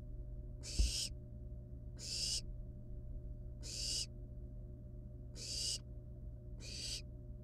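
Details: Wild barn owl nestlings toying with a live rat in the nest: five evenly spaced, raspy hissing bursts about every one and a half seconds, one sharp knock near the start, steady hum underneath.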